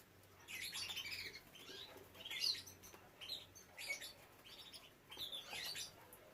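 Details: Canaries in a breeding setup with young birds; bright, scratchy chirped bursts, high and rapid, come in clusters about once a second with short gaps, over a faint low hum.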